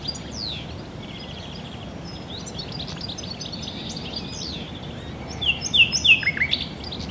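Common Nightingale song: high whistles and quick sweeping phrases, soft at first, then a louder run of rapid, sharp notes near the end, over steady background hiss.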